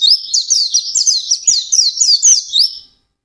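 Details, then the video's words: White-eye singing intensely in the ngalas style: rapid, high, sweet twittering notes with quick upslurred whistles, running continuously for nearly three seconds before stopping. "SUARA BURUNG PLECI GACOR NGALAS"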